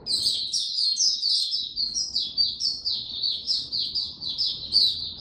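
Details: Caged oriental white-eye singing the 'raja' style: dense, high, sweet warbling of rapid overlapping twitters, steady and continuous throughout, over light background noise.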